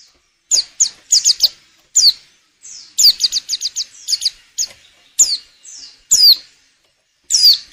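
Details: Female white-eye in breeding condition calling to draw song from males for luring. Rapid strings of short, high chipping notes mix with longer, loud, descending whistles, forming a busy, excited sequence.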